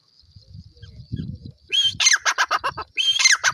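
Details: Low murmuring noise gives way to a francolin's loud call: a whistled note followed by a fast series of harsh, evenly spaced pulses, then a second phrase begins.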